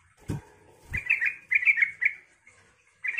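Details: Yellow-vented bulbul singing to provoke other bulbuls: short broken phrases of bubbly notes follow two sharp knocks at the start, with brief gaps between phrases.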